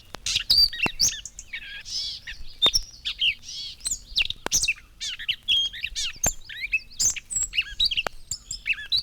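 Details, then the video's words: In spring, a Gray Catbird runs through a quick, jumbled medley of squeaky, scratchy phrases, each given once rather than in pairs like a thrasher, with giveaway mewing cat-like notes mixed in; 1954 recording. "We certainly would have difficulty putting words to its music, but its cat-like calls are a giveaway."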